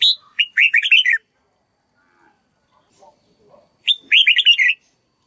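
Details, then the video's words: Red-whiskered bulbul practising its song for a bird learning to copy it. Two lively warbled phrases of bubbly whistled notes, about three seconds apart, with faint soft clicks in between. "Chào mào luyện giọng cực hay để ép chim má trắng học giọng"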